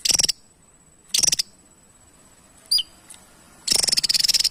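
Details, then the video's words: Javan tesia alternates brief high dry rattles with a single sharp downslurred chip, ending in a longer, rapid ticking trill. "TESIA JAWA GACOR SETIAP HARI"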